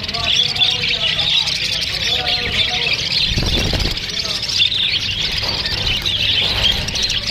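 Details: Many Australian parrots chatter to each other in an unbroken stream of shrill chirps and squeaks, interrupted near the middle by a brief dull knocking sound.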